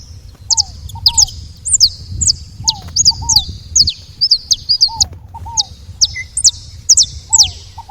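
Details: Saffron finches at a feeder giving a busy run of high, sharp chirps and short slurred notes, mixed with lower, curved whistled notes from another bird, over steady low background rumble.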